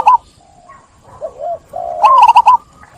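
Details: Zebra dove singing a soft, low cooing phrase with a wavering middle, then a burst of rapid staccato coos.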